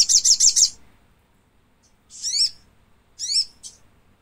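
Thick-billed spiderhunter giving high, sharp chirps: a quick run of four rapid notes, then two separate burst calls with slurred, rising and falling tones.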